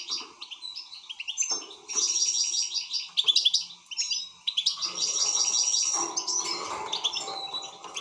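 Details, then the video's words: Excited European goldfinch delivering a fast, continuous tinkling song of liquid twitters, buzzy trills and sharp chirps in long unbroken runs, with a faint low hum in the background. "حسون هائج"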